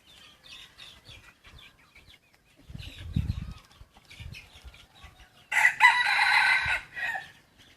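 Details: Yellow-line young decoy rooster with wild junglefowl blood lets out a single harsh crow of over a second, after soft knocking and rustling sounds and faint bird chirps earlier on.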